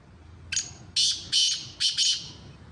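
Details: Sindhi Black francolin giving its call: a clipped opening note, then four loud, rasping, buzzy notes in a rapid phrase, with low background hum.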